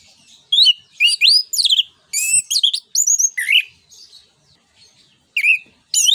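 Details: Energetic orange-headed thrush song, a 'ngeplong nembak' lure meant to prompt other songbirds to sing. Dense, varied whistles, swoops and chattering notes in quick clusters, a quieter pause, then more high sharp phrases.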